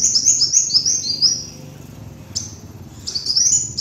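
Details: Kolibri wulung sunbird lure song: fast, piercing high chips run into descending trills, a pause, then another quick rising burst, with a constant low background rumble.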